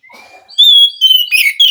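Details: Wild white-rumped shama in forest, singing in response to a captive bird reluctant to sing: a long clear whistle near the start, then loud rich whistled phrases with slurred, warbling notes.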